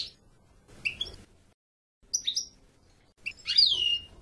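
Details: European goldfinch giving short, bright chirped calls in small clusters, ending with a longer, louder note that sweeps downward, with soft background noise between the notes.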